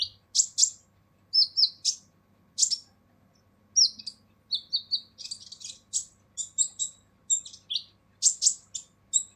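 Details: Purple-throated sunbird (kolibri ninja) singing a harsh full song for training other birds: sharp, piercing high chirps, single and in quick clusters, with brief gaps and a clean, quiet background.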